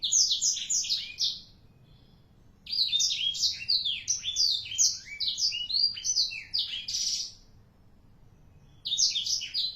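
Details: Four-month-old black-throated canary in full song: long runs of fast, sliding twittered notes and trills, bright and high, broken by short silences of a second or two before the singing resumes.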